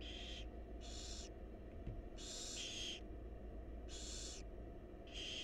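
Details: Barn owl mother feeding her chicks in a monitored wild nest box; the chicks answer with loud rasping hiss-screeches, some doubled, spaced about a second apart above a low droning background.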